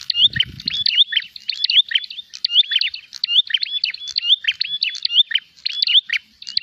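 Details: Prinia, presented as an energetic bird hunting for a rival, repeats fast chattering phrases of sharp high chirps and brief whistled notes about once per second, with a short low thud at the start.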